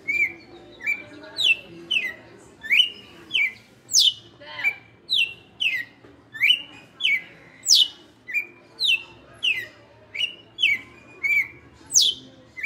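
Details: Captive red-cowled cardinal, kept five years, giving açoite-style song: a steady run of sharp, downward-slurred whistled notes, each falling from high to mid pitch, delivered in rapid succession about twice per second over a quiet background.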